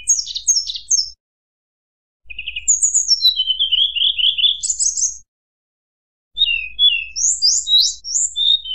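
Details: A white-browed shortwing sings in flute-like bursts meant to make rivals aggressive, with three separate phrases of quick high whistles and zigzag notes split by pauses of about a second.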